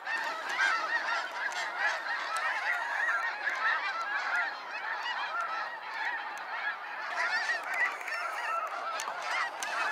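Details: Sunset fly-out of snow geese at Sacramento National Wildlife Refuge: countless yelping honks overlap, rising and falling slightly in loudness as the flock passes.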